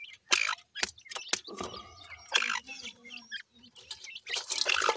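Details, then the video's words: Francolin (teetar) chicks, 28 days old, feeding in a yard; short bright chirps and peeps mixed with sharp pecking clicks and tapping at the food, with a low hum beneath. "28 days old teetar bird chicks feeding in the yard"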